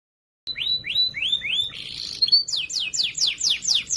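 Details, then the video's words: Canary with a loud, clear training song used to teach other canaries. A series of high rising sweeps comes first, then a brief buzzy burst, then fast, steeply falling whistled notes repeated about four times a second. "Masteran Burung Kenari Suara Lantang Dan Jernih"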